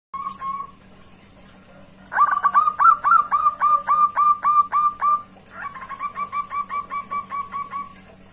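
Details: Zebra dove giving a loud call to a rival: a rapid staccato series of short cooing notes, about fourteen in the first burst, then a quieter second run of about twelve after a brief pause, with a steady low hum behind.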